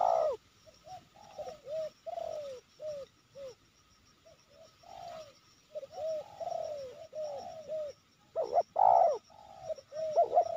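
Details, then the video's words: Spotted doves cooing at Sibolangit during trapping of a wild bird known as a constant cooer with a full voice, two decoys set out: many soft, low, drooping coos in irregular runs, louder bursts near the end, a high faint whine behind. "Tekukur ini Menguku Tanpa Henti"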